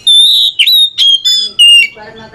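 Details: Oriental magpie-robin singing in a back-and-forth exchange meant to spark a lazy bird: long, pure high whistles alternating with brief buzzy, rattling notes in a fast phrase, ending with a soft low trailing sound.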